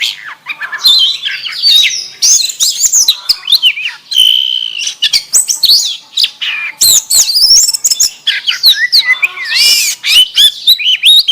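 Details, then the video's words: Kacer, or oriental magpie-robin, in a varied song with canary-style fill: rich, fast, high-pitched mix of warbled trills, twitters and sustained whistled notes, continuous with brief pauses and no other sounds evident. "Burung Kacer Isian Kenari"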